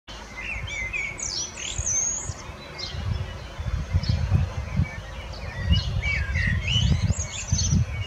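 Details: Common blackbird (Turdus merula) singing: low fluted warbling phrases, each ending in a high, thin squeaky twitter, heard twice across the stretch over steady low wind rumble.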